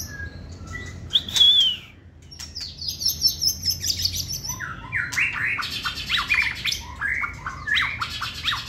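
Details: Competition-grade caged white-rumped shama sings a high whistled note, a sweeping trill, then a dense burst of varied chirps and slurred notes.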